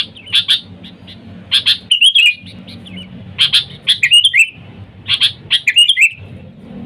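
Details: A lure recording meant to draw in wild sooty-headed bulbuls: crisp high chirps in pairs and triplets with rolling, slurred warbles between them, set against a faint low rumble.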